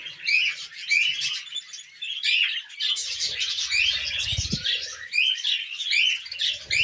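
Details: Several tame pet budgies chatter nonstop while eating millet, giving a dense, scratchy warble of overlapping chirps and squeaks, with soft low thuds partway through.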